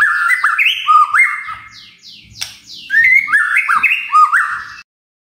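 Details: Murai magpie-robin in full lure song: rapid jerky phrases of rising and falling whistles, a cascade of descending high slurs in the middle, then more choppy warbling.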